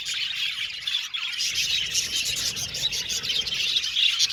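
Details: Several budgies tweeting and chattering at once, a busy high-pitched warble that swells slightly toward the end, with occasional sharper squawky chirps.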